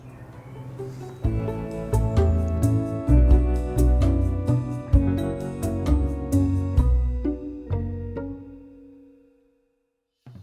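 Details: Instrumental music with plucked and bowed strings plays throughout, then fades to silence near the end; no animal sounds are heard.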